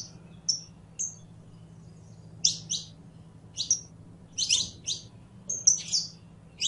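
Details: Singing saffron finch (canario criollo) gives thin whistled notes, then louder doubled high chirps in quick groups, with a low hum underneath.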